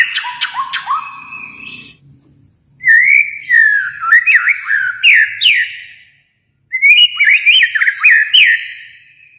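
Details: Kalimantan White-rumped shama in full song: clicks and a short whistle, then two long rambling runs of bright, rising and falling whistled notes, each ending abruptly before a pause.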